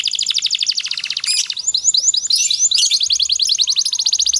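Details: Canary master song for training other canaries; dense continuous rapid trills with buzzy bursts throughout.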